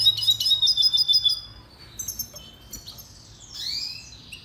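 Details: Red siskin singing in a song-training recording: a quick run of high, evenly spaced chirping notes for over a second, then scattered thin twitters and a rising buzzy phrase near the end.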